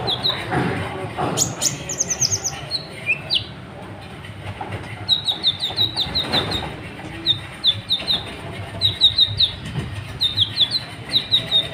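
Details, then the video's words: Sunbird known as kolibri ninja, singing to set other birds singing: after a noisy, clattering start, a long series of rapid, high, tinkling notes repeated in quick clusters for several seconds. "KOLIBRI NINJA EMOSI NGGA MAU DIAM , BIKIN BURUNGMU JADI IKUT BUNYI"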